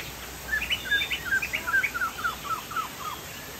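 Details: Sumatran poksay jambul, a Chinese hwamei, in full gacor song: a dense run of bright, downslurred whistles repeated about three times a second, slowing slightly toward the end.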